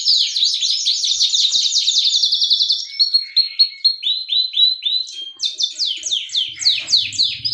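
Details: Canary in strong song: fast buzzy trill of downward slurs, then a spaced series of rising whistled notes, then renewed rapid sweeps; faint low hum late on.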